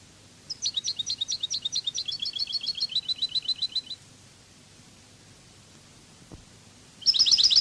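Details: Cádiz-style European goldfinch song from a training recording: a fast, even trill of high twittering notes lasts about three and a half seconds, followed by silence with a faint click, then another burst of high notes begins.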